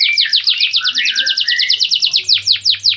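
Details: Canary repeating rapid high chirps in a fast, even series, slowing into louder falling notes near the end, over a faint low hum.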